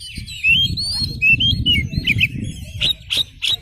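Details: Lively oriental magpie-robin, tail spread, singing a lure song to draw replies from other magpie-robins: sweet slurred whistles rising and falling, ending in three harsh raspy bursts, over a low rumbling hum.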